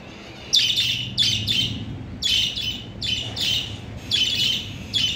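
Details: Pet lovebirds in a new cage, chattering as they react to it: bursts of shrill, harsh high chirps and squawks in clusters about every second, with a low hum in the background.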